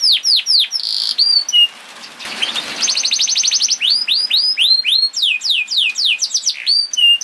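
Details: Canary singing quick high whistled notes that swoop downward, repeated around four per second, with a buzzy trill and a brief noisy gap partway through.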